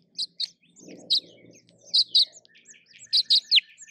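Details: Male House Finch at a nest in a hanging basket, eight days after the first egg hatched, hears a human voice from the house and sounds an alarm to his nestlings: sharp, high chirped notes, mostly in quick pairs, about eight in four seconds, faint low murmur.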